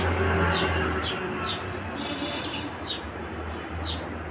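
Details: Scattered high, clipped sparrow chirps, some spaced about a second apart, heard over continuous low traffic-like rumble and hum.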